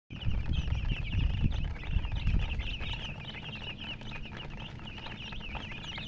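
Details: Baby chicks chirping: a dense, continuous stream of high, thin peeping notes from several birds overlapping, over heavy low rumbling and thumping noise.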